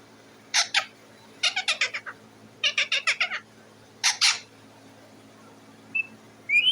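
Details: Pet parrot perched on its cage, making noise to be fed: harsh, raspy squawks in quick bursts of two to six, separated by short pauses, then a brief high whistle at the end.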